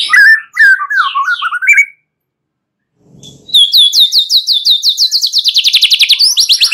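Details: Night lure song of a white-rumped shama, played to get birds singing loudly and long: warbled falling phrases, a silent gap, then a rapid even trill of high notes about three per second rising slightly.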